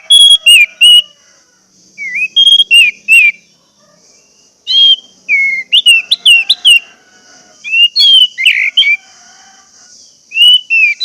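Orange-headed thrush singing loud, rich whistled phrases with slurred rises and falls and thin high notes, delivered in quick bursts between short pauses, over a faint steady hiss.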